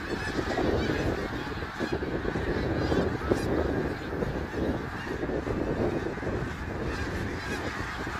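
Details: Snow geese gathered at Middle Creek Wildlife Area on March 3, 2022 keep up a roaring chorus of honks and yelps, dense throughout, with surges of louder calling in the middle.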